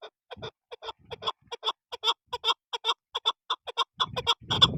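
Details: Chukar partridge giving uneven clucking chuk notes, spaced irregularly and growing louder, with low rumbling handling noise near the end.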